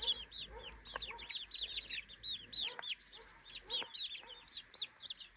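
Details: Three-week-old chickens exploring a new daytime playpen: a busy chorus of high, clear peeps, each sliding up then down, overlapping and repeated irregularly, with a few soft taps underneath.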